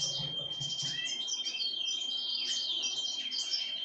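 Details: A pine grosbeak fed on sunflower seeds gives lively high chirps and slurred twitters, unbroken throughout, alongside a faint low murmur at the very start.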